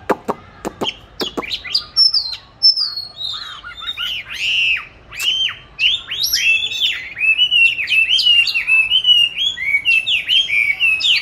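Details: Captive oriental magpie-robin, kept since 29 July 2020, recorded 22 March 2021 while hung in an ideal place for singing practice; opening clicks, then a long, fast, varied run of rich whistled and warbled notes.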